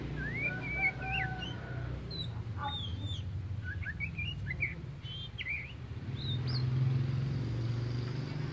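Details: Oriental magpie-robin, a tame bird known locally as kacer poci, in full song: varied rising and falling whistles, short zigzag phrases and scattered chips, against a constant low background hum.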